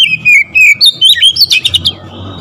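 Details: Oriental magpie-robin singing loudly, audio intended to trigger other magpie-robins to sing: a dense, unbroken sequence of sharp whistled notes and chattering trills, rising and falling quickly.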